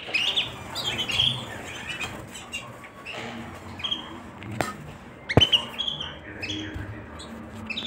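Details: Canary calling with brief, high slurred chirps and short whistled sweeps scattered through the recording, against low background noise and a couple of sharp clicks.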